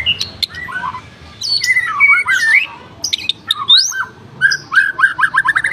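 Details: Caged F4 white-rumped shama in full song, a fast varied string of whistles, warbled slides and clipped chatter, ending in quick repeated upslurred notes, with faint low background hum.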